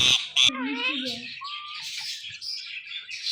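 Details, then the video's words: Parrot saying "Mithu": two shrill opening squawks, then a drawn-out, gliding harmonic call and a wavering, raspy high tail. "Speaking Parrot Calling Mithu Mithu"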